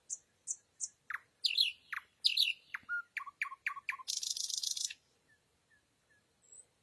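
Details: Night song of a nightingale: three evenly spaced high piping notes, a run of varied slurs and repeated deep chooks, then a harsh buzzing rattle, ending with quiet faint chips.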